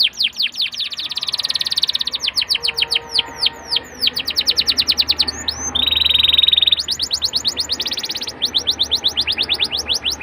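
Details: Canary song used as a lure recording to prompt young canaries into quick, steady singing: fast trills of high, descending whistled sweeps, a brief buzzy rattle mid-phrase, then further rapid sweeping trills.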